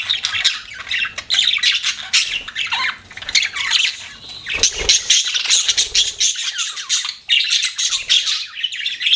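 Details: Budgies kept as pets give continuous bright chattering, rapid scratchy chirps and squawks layered over one another, with one low knock partway through.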